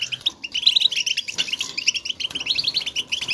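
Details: European goldfinches in nature giving motivational twittering contact calls to one another to signal their presence; dense, rapid high chattering notes tumbling over each other without pause, like several birds calling together.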